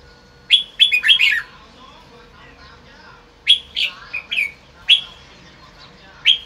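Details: Red-whiskered bulbul sunbathing in afternoon light, delivering 'bọng' song: a rapid jumble of bright slurred notes, then a pause and further loud chirps and short phrases at irregular intervals, with faint background hum.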